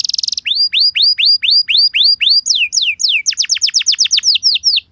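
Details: Canary prompt song to draw replies from other canaries: a brief fast rattle, then about ten evenly repeated upward-curving whistles, shifting into a quicker series of steep falling notes.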